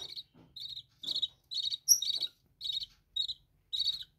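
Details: Captive budgerigars kept in a bird room give short chirps, each a burst of bright, slightly buzzy notes repeated about every half second, with the odd higher whistled note mixed in.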